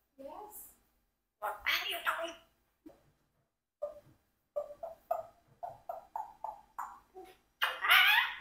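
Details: A 4-year-old Congo African grey parrot talks in short, speech-like bursts with a human-like voice, practising words like "come back", ending in a loud, harsh squawk.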